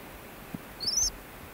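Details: Ancient murrelet chicks in a burrow on Frederick Island cheep, their calls becoming more animated; here a single thin, very high cheep rises slightly, lasting about a third of a second, over quiet hiss.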